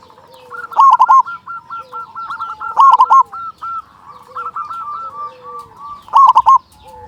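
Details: Local zebra dove in steady, loud song, played to make other zebra doves start singing; three rolling, emphatic coo bursts, about two seconds apart, with quieter trains of short hooked coos between them.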